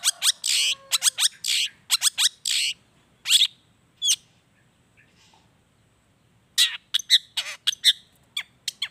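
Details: Long-tailed shrike song meant to provoke shrikes into singing: dense bursts of harsh, buzzy notes and sliding whistles, a quiet gap of about two seconds, then renewed scratchy, chattering phrases.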